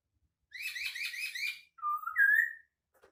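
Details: Unique song of a white-crested laughingthrush: a quick run of about six buzzy, rolling notes, then a rising two-part whistle ending on a sustained higher tone.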